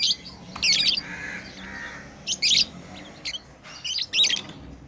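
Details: Lovebirds kept as pets, playing, give loud shrill squawking chirps in a few separated bursts, with softer buzzy calls between them and a low background hum.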